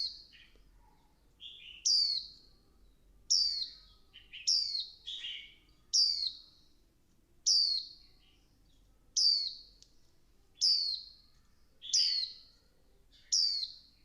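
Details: Calls of a female Swinhoe's white-eye meant to stimulate the male into intense song: a steady series of eleven shrill, falling whistled notes roughly every 1.3 seconds, occasional softer lower chips between.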